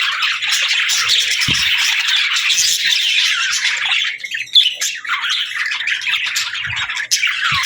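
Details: Pet budgerigars chattering and singing indoors, mimicking speech among their melodies: a dense, continuous warbling of scratchy chirps and squawks, loud and unbroken for nearly eight seconds, with a few brief low thumps.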